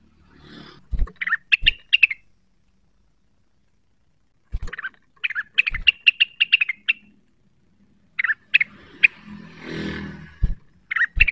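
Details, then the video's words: Cucak wilis singing energetically while seeking a rival, provoked by a call: bursts of quick, sharp chirped notes repeated in short runs, separated by pauses, with low thumps and some rustling noise in the background. "Rengganis gacor neritik mencari lawan, pancingan cucak wilis cepat emosi terpancing bunyi"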